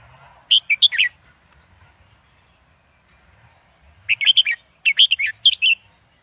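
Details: Red-whiskered bulbul, a caged Indo double bird, singing for young birds to learn: a warbled phrase, a three-second gap, then two lively strings of clear chirping whistles close together.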